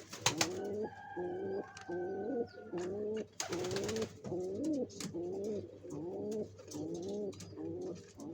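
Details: Pigeons building a nest to lay eggs, giving low, soft coos in a steady series roughly once a second, each note a short rolling phrase, with a few sharp knocks and a brief rustling burst near the start.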